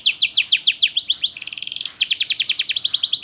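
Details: Rapid canary song meant to lure young canaries into singing and restart quiet birds: quick falling notes, a flat buzzy rattle in the middle, then a fast, bright trill.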